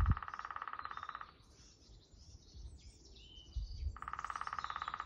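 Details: Lesser spotted woodpecker, Dalby, Sweden, April 2022: two rapid pulsed rattling series, each lasting over a second, separated by a pause with soft distant bird twitters and low background rumble.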